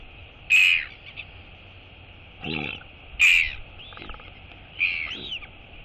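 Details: Royal albatross mother and chick at a feeding visit: loud, harsh bursts of squealing sound alternating with softer buzzy notes, about four outbursts separated by quiet gaps.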